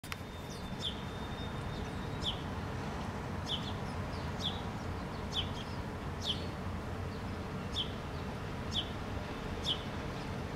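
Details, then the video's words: House sparrows in a Helsinki park, Finland, August 2013: short, high chirps repeated about once a second over a steady low rumble of traffic. "House Sparrows in the park"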